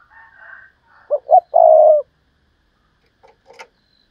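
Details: Decoy spotted dove giving a 'Thúc Lợi Cốt' call: two short low coos, then one long, steady, slightly falling coo. Faint higher warbling from another bird comes before it, with soft clicks afterwards.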